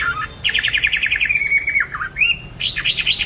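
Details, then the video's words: Songbird kept in a cage, bought 19 May 2020 and singing steadily on regular food: rapid stuttering chirps sliding into a sustained whistle, a dipping note, then loud bouncing looped whistles. "Chăm chim đều tay ,cám ổn định hót mọi địa hình ,mọi giờ giấc"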